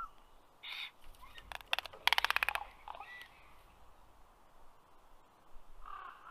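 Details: Common raven on a black stork nest tree in Karula National Park, southern Estonia, late May afternoon: a hoarse croak, then a long rattling series of rapid loud clicks lasting about a second, with softer gurgling calls before and after.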